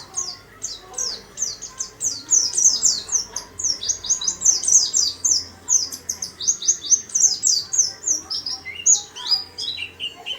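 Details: A caged warbling white-eye in a small cage sings busily: a fast, continuous stream of very high, thin twittering notes in rapid, jumbled phrases with barely a pause.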